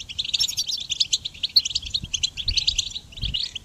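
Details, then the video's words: Goldfinch song recorded for training songbirds: a dense, fast twittering of bright chirps and short trills that runs almost without a break, with a low rumbling hum underneath. "Goldfinch Song Training"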